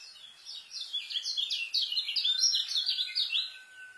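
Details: White-eye (kecial) master song in the fast 'rapet isian' style for tutoring young birds: unbroken bright, high chirps and quick slurred twitters, with a thin steady whistle underneath during the latter half.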